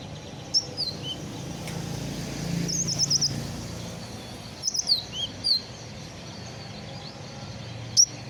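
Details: Hobby-kept sunbird fresh out of its moult, singing its repertoire: scattered very high thin chirps and quick down-slurred whistles in irregular clusters, with pauses between, against a constant low background hum.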